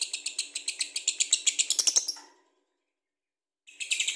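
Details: Lovebird ngekek chatter of rapid harsh chirps speeding up and growing louder over two seconds, then a pause before another fast burst begins.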